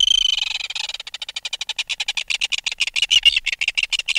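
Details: Red-billed tropicbird adult, removed from its nest, giving close-up alarm calls: a harsh, shrill scream that breaks into a rapid rattle of sharp pulses, about eight per second, continuing for four seconds.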